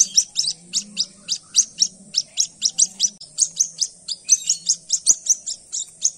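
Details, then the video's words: Dawn-found white-breasted waterhen chick uttering insistent high peeps, about three per second, evenly spaced; a single soft click and faint low hum behind. "পাখির আওয়াজ। পাখির ছানা।"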